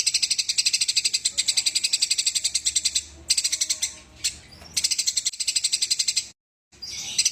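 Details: Eurasian tree sparrow in a fight, a long rolling chatter of fast, high, evenly spaced chirps broken by a few short pauses and one abrupt silence near the end.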